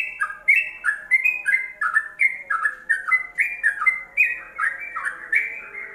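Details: A yellow-vented bulbul's ropelan song, recorded as a training aid for songbirds: strong, rhythmic whistled phrases, each a clear note dropping into a rolling warble, repeated steadily about every half second.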